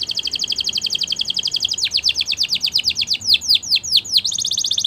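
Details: Training song of a Spanish Timbrado canary, a steady rapid rattling trill that shifts into slower, deeper falling notes repeated about five times a second, then back to a fast trill.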